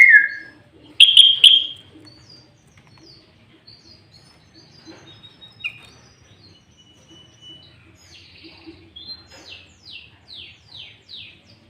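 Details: Sooty-headed bulbul in loud, lively song with green leafbird-style fill phrases, used as a lure for trapping bulbuls and as a song tutor. A few bright, bubbly whistles open, then a pause and a run of fast, downward-sweeping notes.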